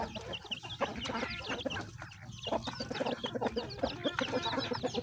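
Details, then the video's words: A dense chorus of chickens clucking while they eat feed, with rapid, bright, overlapping clucks and chirps that continue without pause. "The sound of chickens eating"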